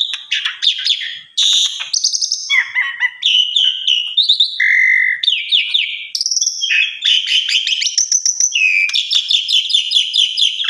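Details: Asian pied starling in full varied song, intended as master recording for other starlings, with fast chattering runs, whistled slurs, buzzy notes and rattles delivered almost without pause.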